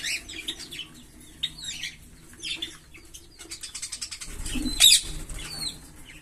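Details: Green Fischer's lovebird pair chirping: scattered high slurred squeaks, then a fast buzzy rattle of clicks and a loud sharp note, with a soft thump of movement.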